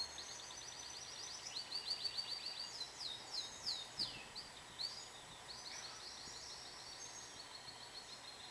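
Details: A pet canary sings a varied run of rapid, high trilled phrases, some rising and falling in sweeps, the bursts coming close together with brief pauses, over a steady faint hiss.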